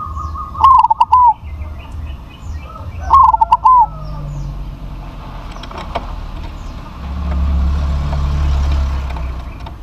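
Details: Two loud phrases from a big-voiced crossbred zebra dove, each a bright first coo, rapid stuttered notes and a long closing coo, about three seconds apart, then low rumbling background noise.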